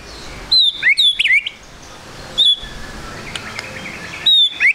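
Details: White-rumped shama giving a trotol lure song to get birds singing quickly: short bursts of high, clear, slurred whistles separated by pauses of about a second, over faint background hiss.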